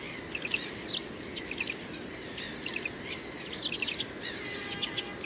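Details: Male great grey shrike singing: short clusters of high, sharp chirps and squeaky notes in bursts about every second, with a few downslurred whistles, over a low steady background rumble.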